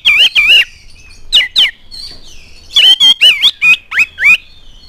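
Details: Oriental magpie-robin in lively, full song used as a lure to set other magpie-robins singing: loud whistled notes sliding up and down, mixed with harsh buzzy squawks in quick bursts, then a short pause before another rapid run.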